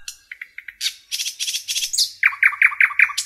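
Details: Common nightingale singing in a forest: soft ticking notes, then harsh buzzy bursts, ending in a loud rapid run of repeated chirps at about five per second.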